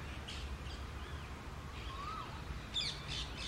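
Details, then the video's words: Two female rose-ringed parakeets fight for dominance over a nest hole in a tree, giving short, harsh screeching squawks in scattered bursts with a few thin whistled notes, over a steady low rumble. "Two Female Green Parrots Fighting for the Nest"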